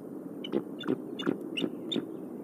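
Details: Wild bald eagles at a nest in Decorah on the morning of 8 April 2019, as the mother feeds newly hatched eaglets. Five thin, high chirps come about every third of a second over a steady low hum.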